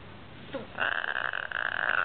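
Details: A Hyacinth macaw named Ivy, playing on the couch at night, gives one long, harsh, raspy growl lasting over a second, just after a brief soft rustle.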